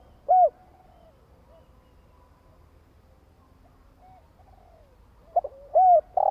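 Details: Spotted dove cooing to provoke a decoy bird: a single arched coo, a long quiet stretch with faint soft coos, then a quick double note and another arched coo near the end.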